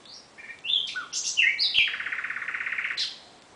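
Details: Common nightingale singing at night: a varied phrase of whistled notes and quick slurs, then a fast, even, rattling trill of repeated notes lasting about a second before a final high note.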